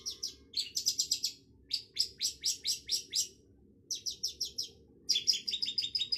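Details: Bursts of rapid, buzzy, high chattering from a long-tailed shrike (cendet), notes packed tightly in phrases of about a second, broken by brief pauses.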